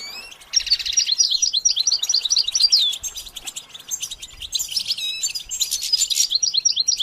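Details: Goldfinch used for song training: after a brief pause, a stream of rapid repeated high chirps and buzzy trills, broken by short gaps and resuming in bright bursts.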